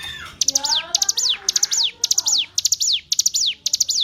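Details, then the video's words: Training recording of hill prinia song for captive songbirds. Bright, high phrases repeat about twice per second, each a quick stutter of clipped notes sliding down into a falling whistle, over soft low background sounds. "Masteran Ciblek Gunung"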